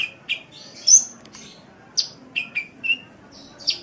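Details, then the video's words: Sunbird (kolibri) singing vigorously for a birdkeepers' master track: a high squeaky slurred phrase followed by several separate sharp chirps at shifting pitches, with quiet between them. "Suara Burung Kolibri | Gacor"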